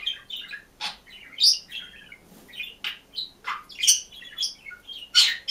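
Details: Caged budgerigar alone in its cage, singing a busy warbling song of rapid chirps, squawky notes and scratchy trills, bursts following one another every few tenths of a second in a quiet room.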